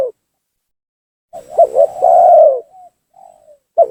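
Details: Spotted dove lure call used to provoke rival doves into coming down: a low cooing phrase of two short notes then a longer hoarse coo, followed by softer short notes; very clean, quiet background.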